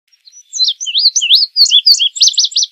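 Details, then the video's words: Song of an indigo bunting, a run of sweet, high slurred notes rising and falling, ending in a quick series of paired down-slurred phrases, with no background noise. "Azulejo Indigo Canto! Llamado! Sonido! Cantando! - Indigo Bunting Song - Passerina Cyanea"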